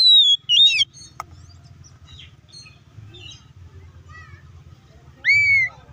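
Oriental magpie-robin giving loud, clear whistled phrases, slurred downward and upward, with scattered chirps and quieter gaps between; a low hum runs underneath.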